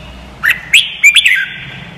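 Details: A red-whiskered bulbul sings a short bubbly phrase for training other birds: four or five rapid slurred whistles rising and falling, rich and liquid, ending in a fading trail.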